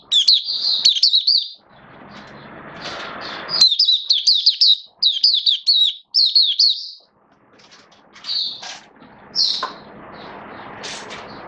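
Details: Caged oriental white-eye in build-up song form, 19 September 2022: repeated bursts of high, rapid twittering phrases, several seconds each, separated by short silences, with softer scattered notes afterwards.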